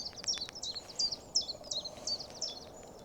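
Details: Common Chiffchaff singing along a hedgerow with gorse on a sunny early-morning walk in Wales: thin, high, clipped notes in an uneven chiff-chaff pattern, almost three a second, over a steady background rumble.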